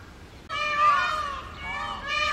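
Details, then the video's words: On a road in the summer breeding season, an immature short-tailed Indian peafowl male gives one long, drawn-out, nasal howl that wavers and dips, then swells again at the end. "Short Tail Peacock Crying on the Road | Screaming Peacock"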